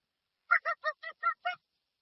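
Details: Six quick, rasping, nasal honks in a steady series from a dusky-legged guan, with no other sounds.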